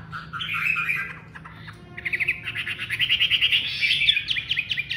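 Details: Chinese hwamei delivering a brief warble, a pause, then a loud accelerating run of sharp repeated notes and rising trills.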